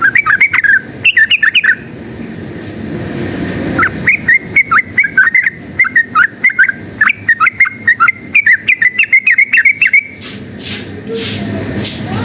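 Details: Long, fast, rattling song of a yellow-vented bulbul in fighting mode, meant to work up other bulbuls: a short burst, a quieter pause, then a lengthy stream of quick, sharp chirped notes, ending in broad noisy bursts.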